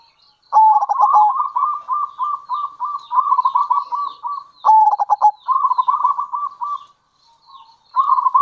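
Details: Local zebra dove calling to lure others, a long run of rolling pulsed coos broken by a sharp stuttered burst, then more trilling.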